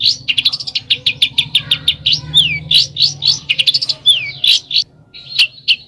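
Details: Songbird singing in besetan style, with varied quick chirps and sharp notes in irregular bursts, mixed with a few slurred downward-sweeping whistles.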